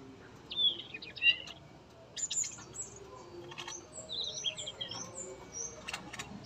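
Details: Tame male Yellow-rumped flycatcher singing steadily in a breeding cage; short high chirps and slurred whistles come in scattered bursts, with thin sweeping notes later and a soft background of other birds.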